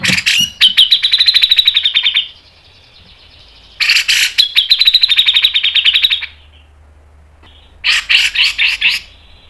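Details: Grey-cheeked bulbul (cucak jenggot) in the mbeset ngepik style, used as training and lure song: three long bursts of rapid, harsh, buzzy repeated notes, fast and tight, separated by short pauses.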